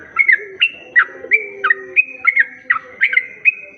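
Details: Sooty-headed bulbul recording used to lure other bulbuls: bright whistled notes with quick downward flicks, each followed by a short level tone, repeated roughly every third of a second, with soft lower whistles beneath.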